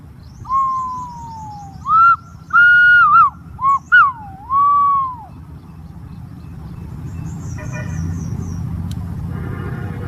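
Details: Green pigeon whistling a falling note, then rising, wavering and looping whistles over about five seconds. After that come rustling and handling noise with a low rumble, and faint chirps from other birds.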